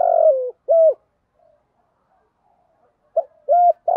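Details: Decoy spotted dove cooing in the morning to attract other doves: a drawn-out falling coo and a short coo, a near-silent pause of about two seconds, then the phrase resumes with a quick note and two more deep coos.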